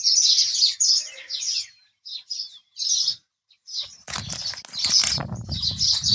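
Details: House sparrow chirps in scattered bursts, then a loud rustling, flapping noise under continued chirping in the second half.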